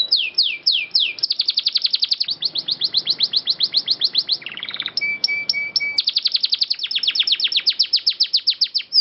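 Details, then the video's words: Long rolling canary song used as a master recording for training birds. Fast descending sweeps give way to a continuous rapid trill, then a brief series of spaced piping notes, before the quick roll resumes to the end. "MASTERAN BURUNG KENARI GACOR NGEROLL PANJANG SUARA JERNIH"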